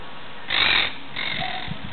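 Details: Monk parakeet giving two harsh, noisy squawks, the first louder and about a third of a second long, the second softer and longer, over a steady background hiss.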